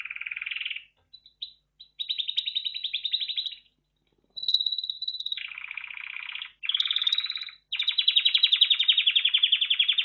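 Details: Red factor canary in full song: a run of buzzy rolling trills, some pitched high and some lower and fuller, broken by short pauses and a few clipped single notes.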